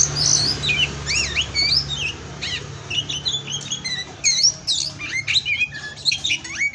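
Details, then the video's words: Oriental magpie-robin (kacer) kept by an Indonesian breeder, masteran song: lively sequence of looping whistles, sharp rising and falling slurs and brief trills, steady throughout over a soft low drone. "Masteran Pastol Kacer"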